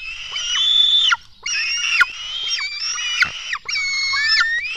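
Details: Black stork young in a Latvian nest during a 04:53 feeding, 24 June 2016. Drawn-out, grating, nasal screams of about a second each, three or four in a row, with a few sharp clicks between them.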